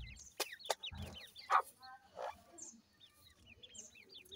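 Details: Grey francolin chicks feeding beside the female: short high falling-rising chirps in small runs, interrupted by a couple of rough scratchy noise bursts and sharp taps.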